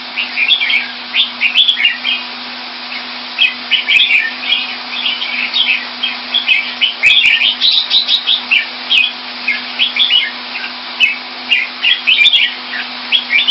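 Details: Red-whiskered bulbul kept in a cage Thai style in Singapore, recorded February 2018: continuous quick run of short liquid whistled notes, repeated phrases with brief gaps, over a constant electrical hum and faint clicks.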